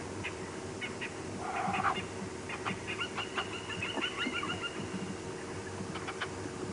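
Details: Francolin calling at sunrise on a morning safari drive at Djuma Game Reserve, 12 June 2015: a harsh, grating series of quick repeated notes rising into a rapid cackling run, over a steady engine hum and soft background noise.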